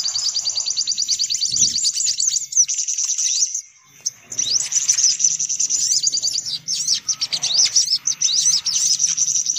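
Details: High-pitched sunbird chatter for luring the birds: quick, sharp trills run continuously, stop for a short gap near the middle, then resume with many overlapping notes.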